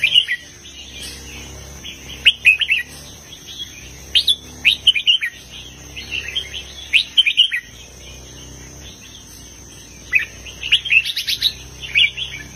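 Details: Red-whiskered bulbul kept in a cage, delivering southern master-song phrasing in a heavy style: repeated bursts of lively, slurred chirps and whistles in clusters, with a steady low hum and a faint high tone beneath.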